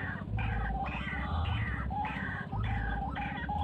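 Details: Wild white-breasted waterhen calling in harsh, nasal croaking phrases, several repeated in under four seconds over a steady low pulsing hum.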